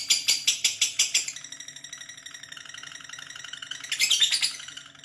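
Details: Lovebird giving a long chattering call indoors: a burst of rapid, evenly spaced high squeaky notes, then a continuous trilling chatter, rising to a louder shrill flurry near the end.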